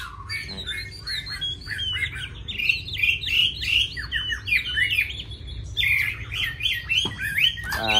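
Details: Chinese hwamei song of harsh, rapidly repeated squawky notes mixed with slurred whistles, dense and energetic, ending with a short burst of human speech.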